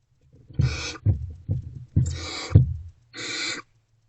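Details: Nighttime nest-box recording of barn owls receiving food deliveries, early morning of 28 February 2024; three rasping, noisy hiss-screeches in about four seconds, interspersed with heavy low knocks and shuffling sounds.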